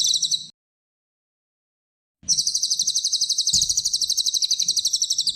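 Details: Cililin (small minivet) 'tembakan' song for master training: a short burst of high trill, almost two seconds of silence, then a long unbroken run of rapid, buzzy high notes.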